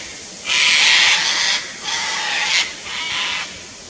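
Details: Nesting pair of Sulphur-crested cockatoos, Fraser Coast, Queensland, Australia, upset by a nearby Lace Monitor, letting out three raucous, scratchy screeches in a row, the last one slightly softer.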